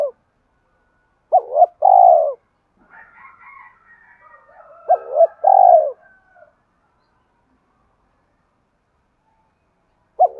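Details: Spotted dove coos, played to spur on decoy birds in training: a clipped double note then a drawn-out mellow croo, repeated after a long pause, with soft fluttering higher sounds between phrases.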